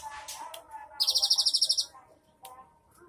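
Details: Cinereous tit with a rich 'isian' song, 3 April 2023: a single rapid, rattling high trill of about a dozen pulses lasting under a second, framed by soft background chirps.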